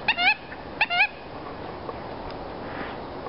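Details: An American coot (mud hen) in a pond with ducks gives two sharp, nasal clucking notes, almost mechanical-sounding, about three-quarters of a second apart, each slightly rising, over faint steady hiss.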